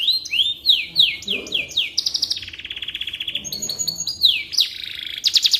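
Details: Canary song for tutoring white-rumped shamas: a series of downslurred whistles repeated about three per second, then a long buzzy trill and further sweeping notes; faint voices murmur underneath.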